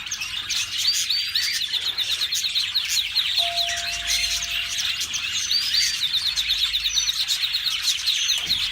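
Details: A yellow canary sings a long, unbroken run of high, rapid trills and chirps, with a brief steady whistle-like tone in the middle.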